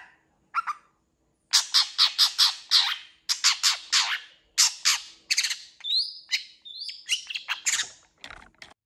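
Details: Long-tailed shrike delivering a fill-in-packed song: a rapid string of loud, harsh chattering notes, then a few clear, slurred whistles and more rasping notes.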